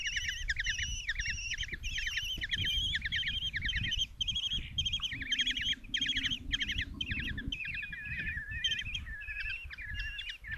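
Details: Common Kestrel young, five in a nest box in Tiszalök, Hungary, beg loudly as the mother brings a mouse, June 27, 2024 morning: a busy overlapping stream of shrill trilled squeals, with a brief low steady hum midway.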